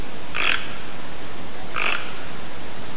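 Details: Toco toucan in nature producing two harsh, grating croaks about one and a half seconds apart, with a steady shrill insect sound behind them.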